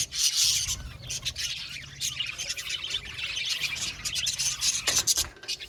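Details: Budgerigars chirping and squawking, a busy mix of sharp high tweets and grating warbles from several birds, loudest at the opening and again near the end, with soft low background noise.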